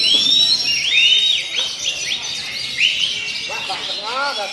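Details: Oriental magpie-robin singing at a songbird contest, a rich, varied run of clear rising whistles and slurred notes, fast and unbroken, with a chattering backdrop of other birds.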